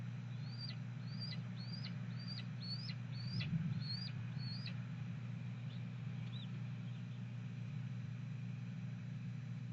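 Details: Red-tailed hawk female on a nest camera at Cornell Lab of Ornithology, 2 May 2014, afternoon, vocalizing while her mate delivers a nestling Blue Jay. Seven quick downward-hooked high calls in a row, then a brief thump and fading notes, over a steady low hum.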